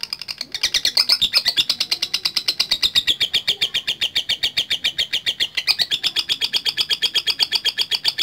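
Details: Lovebird, a frequent singer used for calling rivals in bird competitions, delivering a loud, rapid run of harsh, ringing chirps, roughly four per second, sustained throughout with slight pitch wavering.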